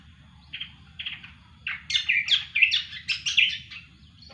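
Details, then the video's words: A cucak kombo sings actively. Two soft chirps are followed by a rapid string of loud, bright, slurred notes that rise and fall over about two seconds, then the song stops. A quiet low murmur sits underneath. "burung cucak kombo gacor"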